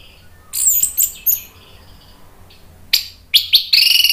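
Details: Orange-headed thrush singing loudly and openly as a lure recording meant to stir other birds to answer. Shrill high chirps and whistles come in separated bursts, with a quiet low hum beneath and a dense ringing phrase at the close.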